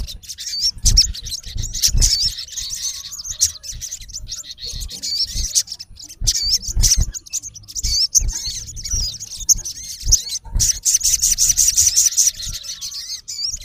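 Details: Olive-backed sunbird (sogon) male calling at a rival, a long busy stream of high wavering whistles and sharp chips, broken by brief pauses, with low knocking sounds under the calls.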